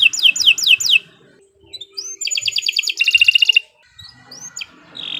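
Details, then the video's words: Singing canary suited for tutoring young birds: a few descending slurred whistles, a pause, then a dense metallic trill of rapid notes, followed by scattered upward chips and a short whistle; quiet background hum. "Kicau Burung Kenari 134 II LUAR BIASA GACOR PANJANG Cocok untuk Masteran"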